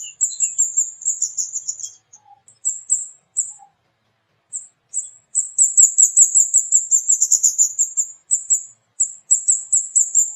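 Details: Flowerpecker, known locally as burung kemade or burung cabai, calling actively: rapid runs of very high, thin 'cit cit' notes, some bursts fused into long chattering trills, broken by short pauses; no other sounds.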